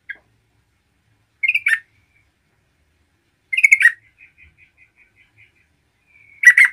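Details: Lively yellow-vented bulbul song used to excite other bulbuls: three bubbly gurgling phrases spaced about two seconds apart, with a faint thin series of notes between them.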